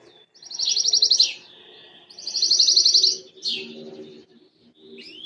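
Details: Copper-coloured Belgian canary singing: two bursts of fast high trills, each about a second long, followed by a downward sweeping note, with a faint low hum beneath.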